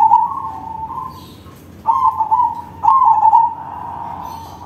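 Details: Big-voiced crossbred perkutut cooing as a lure for other zebra doves: three resonant, warbling coo phrases in quick succession, each ending in a sustained tone, against faint steady noise.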